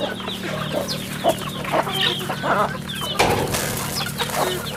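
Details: Farm chicks in a busy chorus of shrill downslurred peeps, a sharp knock or clatter near the end, and a constant electrical hum.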